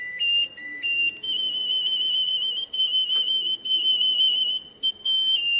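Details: Russian canary singing long, pure whistled notes held near one pitch, broken by short gaps, with a brief lower whistle near the start and faint low background murmur.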